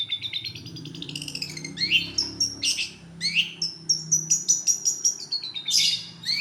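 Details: Lure recording of a national champion long-tailed shrike: a varied, rapid song mixing rising whistles, harsh buzzy bursts and quick chirps, delivered almost without pause, with a faint low hum beneath.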